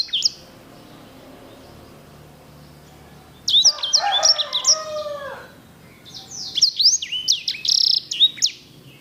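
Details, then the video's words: Sanger (edel/herda) in vigorous song: a short high note, then a rich warbling run mixing lower rolling phrases with high sweeps, followed by a fast series of clear descending whistles. "KICAU SANGER GACOR JERNIH VOLUME PEDAS!"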